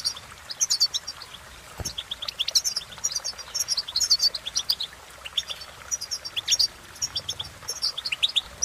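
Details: Goldfinch in sustained song, a dense stream of rapid high chirps and trills with a single low knock near the start.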